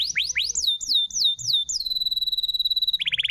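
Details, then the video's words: Canary song used as a lure to get a silent canary singing again: rapid upward-sweeping whistles, then a long steady high buzzy tone, ending in a fast rattling trill. "SUARA BURUNG ,PANCINGAN KENARI MACET‼️ GACOR"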